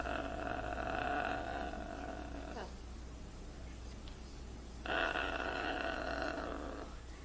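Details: Pet blue-and-gold macaw mimicking crying. Two long, nasal, whining wails, each over two seconds, are separated by a brief lull with faint background noise.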